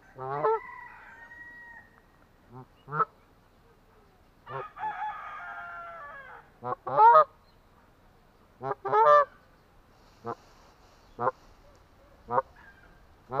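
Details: Atlantic Canada goose honking repeatedly at irregular intervals, harsh nasal notes, some doubled, interspersed with softer drawn-out calls over about thirteen seconds.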